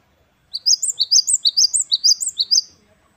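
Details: Great tit singing wucit wucit kristal: about two seconds of bright, high, rapidly repeated two-note whistles with a lilting up-down shape, clean and quiet around it. Local name gelatik batu wingko.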